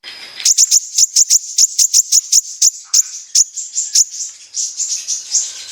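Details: Sunbird known locally as kolibri ninja, a lure recording for provoking sunbirds to sing: very high, sharp chips in fast regular series, about four per second, then softer, blurred trills near the end.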